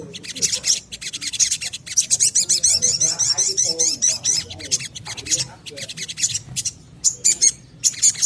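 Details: Little spiderhunter singing energetically, a recording used as a lure to stimulate birds to sing. Shrill, high, buzzy chatters pour out in runs with short gaps, over faint lower twittering.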